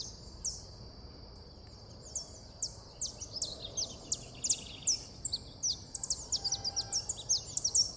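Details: Saffron finch (Sicalis flaveola) song: a rapid, busy run of high chips and short downslurred notes, quickening toward the end, over a steady high insect-like hiss.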